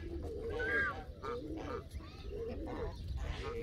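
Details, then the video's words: Canada geese exchange short nasal honks and low clucking notes, one clear rising honk early, the rest overlapping softly over low background noise. "وز كندي"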